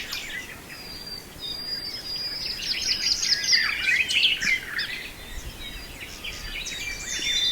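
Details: Song of a nightingale in Brijeste: a rising outpouring of rapid chattering notes and high trills, densest in the middle seconds, with thin sustained high whistles threading through and little other noise.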